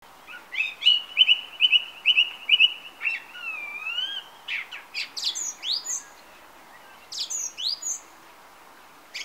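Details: Song thrush singing on a summer evening from a perch on a TV aerial: a quick run of repeated sharp notes, then a bending whistle and varied clear phrases, with short pauses between bursts.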